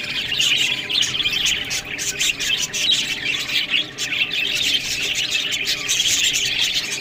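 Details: Captive budgerigars eating greens fill the air with steady, overlapping chatter: fast squeaky chirps and scratchy squawks, swelling and dipping every second or so.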